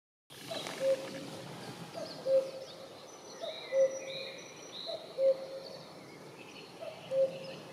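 A common cuckoo repeats its low, soft cuckoo call about every one and a half seconds, with other birds singing high and faint behind it.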